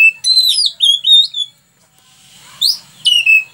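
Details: Oriental magpie-robin (kacer) in lively full song, recorded in 2019 as a tutor recording for training captive birds: bright, clear whistled phrases sliding up and down, a short pause, then sharp upslurred whistles and a falling whistled note.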